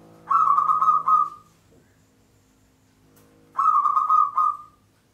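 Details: Local zebra dove giving lure song in the Mataram pattern: two dense bursts of rapid, rolling coos about three seconds apart, each lasting roughly a second and fading out in a drawn tail.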